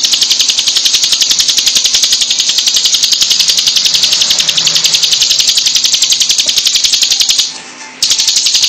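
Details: Hill prinia in dense, very long 'tembakan' song: a loud, unbroken rattling stream of rapid high buzzy notes, nearly four per second and steady, pausing briefly once near the end before resuming.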